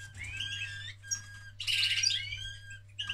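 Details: Canary male in the act of mating, giving rapid twittering song: clear whistled notes, then a dense, loud burst of rolling trills near the middle, with a constant low hum behind.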